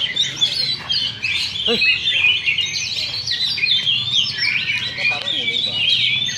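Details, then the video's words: Competing Oriental magpie-robins at a Sunday practice contest, session 2, in Sindanglaut: rich, rapid, high warbled song with rising whistles and chattering notes, and voices of spectators in the background. "Oriental Magpie Robin Singing Contest"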